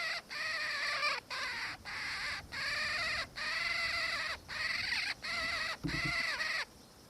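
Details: Black-faced cuckoo-shrike, subspecies melanops, recorded in Victoria, Australia, in December 2019: a long series of rolling, harsh, churring calls, each about half a second to a second long with short gaps, over faint background hiss.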